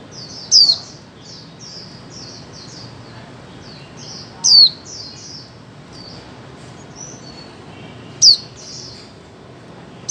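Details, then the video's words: Female white-eye in a 2024 recording aimed at getting mute birds to sing: three loud, thin, descending notes about four seconds apart amid a busy scatter of softer high chirps and twitters. "Khuyên mái 2024 hàng giành cho chim câm"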